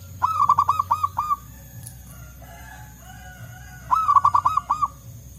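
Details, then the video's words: Wild local zebra doves in forest answering each other: two phrases of six or seven ringing, tumbling coo notes separated by nearly three seconds of quiet, faint softer sounds in between. "Suara Burung Perkutut Lokal Gacor Ampuh Untuk Pikat Dan Pancingan"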